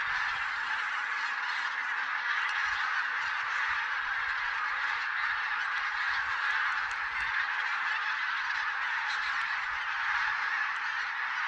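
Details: Wild geese counted in Silesia, 11–13 November 2016, in a mixed flock of possibly Barnacle, White-fronted, Greylag and Bean Geese; a dense, unbroken chorus of many overlapping nasal honks fills the whole stretch at steady loudness.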